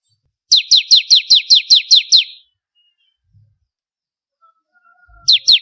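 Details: Energetic bar-winged prinia, used as a training recording for contest birds, delivers a rapid series of eight bright descending chips, falls silent for nearly three seconds, then starts another burst.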